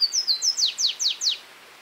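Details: A Flavescent Warbler (Myiothlypis flaveola), recorded in Esmeraldas, Minas Gerais, Brazil, gives a quick run of about eight high, clear notes, with level whistles leading into slurred notes that drop in pitch, all within under two seconds.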